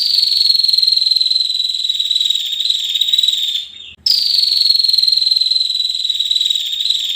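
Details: A female bar-winged prinia produces sustained, rapid, high-pitched buzzing trills that sag gently in pitch. One short break comes midway between two long bursts.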